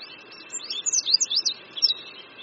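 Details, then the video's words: Oriental white-eye by a creek at Qingdao University in Shandong, China, in spring, giving a short burst of thin high slurred twitters that rise and fall, fairly soft against a faint background hiss. "Oriental White-eye Singing"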